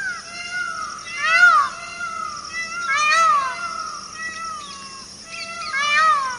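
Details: Peacock wandering in a forest, giving a series of nasal, wavering harmonic cries that rise then fall, about four in six seconds, with a steady faint hum beneath.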